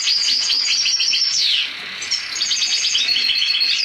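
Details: Song of a black-headed siskin crossed with a canary: continuous high, sweet twittering and warbling with a brief gliding downslurred note midway, then rapid chattering notes again.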